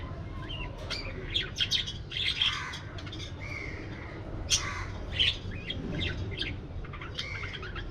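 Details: Aviary budgerigars call in scattered bursts of high chirps, short squawks and a few rising whistles with quieter gaps between them, over a constant low hum.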